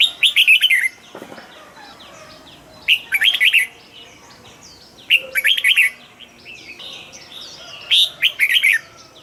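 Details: Red-whiskered bulbul cage bird singing double-style song: four lively warbled phrases of quick slurred whistles, repeated roughly every two and a half seconds, with faint high chirps from other birds between them.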